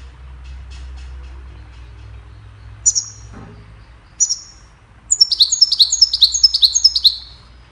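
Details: Goldfinch song played to teach songbirds: two separate high tinkling notes spaced apart, then a fast, regular series of bright descending twitters, about a dozen in quick succession, over faint low background hum.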